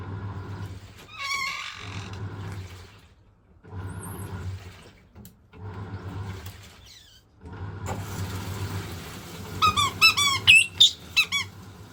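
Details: Pet white-bellied caique indoors, thrilled by the washing machine and its water sounds. Mostly low churning machine noise, with one squeaky burst early and a quick run of sharp, hooked squeaks and a high shriek near the end.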